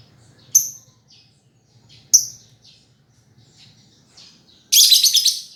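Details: Lovebird giving sharp high chirps about a second and a half apart with soft faint notes between, ending in a loud harsh chattering burst.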